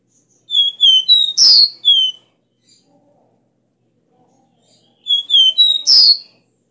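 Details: Caboclinho, the copper seedeater, giving its loud three-note 'Dó Ré Mi' bitola song for rousing caged birds. Two phrases of pure, high whistles, each closing with a rough buzzy note, separated by about three seconds of near silence.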